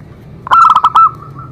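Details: Zebra dove song meant to make other doves sing: a single half-second phrase of rapid, clipped coo notes ending in a drawn-out tone, with a quiet low hum behind it.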